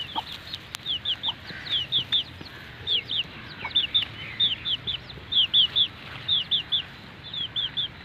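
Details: Newly hatched Aseel chicks of a grey hen in Mianwali, peeping steadily: high, thin, downward-slurred peeps, often in quick pairs or triplets, repeated about every half second over a soft hiss.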